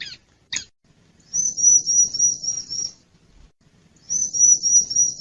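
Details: Bar-winged prinia lure sound for wild birds: two brief sharp chips, then two long, very high, thin trills with a fine wavering quality, separated by a second of silence.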